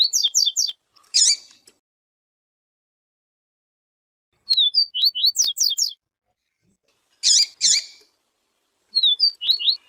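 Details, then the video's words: Papa-capim 'siu siu' singing alongside a calling female, meant to warm up the bird: repeated clusters of bright, slurred whistles interleaved with loud scratchy buzz notes, phrases returning every few seconds with quiet gaps between. "Papa capim siu siu com Fêmea chamando para Esquentar papa capim siu siu"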